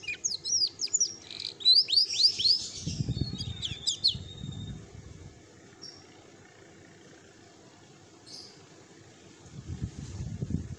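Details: Female domestic canary giving a rolling song: a burst of quick high sweeping whistles and short buzzy trills for about four seconds, then near silence with a few isolated faint notes, and low background rumble.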